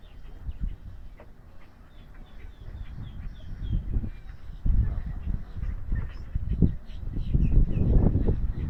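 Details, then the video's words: A very confiding Double-crested Cormorant at Wakodahatchee Wetlands, Palm Beach County, Florida, USA, near the boardwalk, gives low, rough, guttural croaks in several bursts, the loudest near the end. Faint high chirps from other birds sound behind. "Cormorant Close-up: Yawning, Croaking & Panting"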